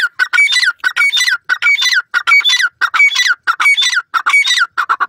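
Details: Francolin (Dakhni teetar) kept at home giving loud, harsh, rhythmic calls, a burst of notes repeated about every half second in an unbroken series, with nasal overtones and no other sounds.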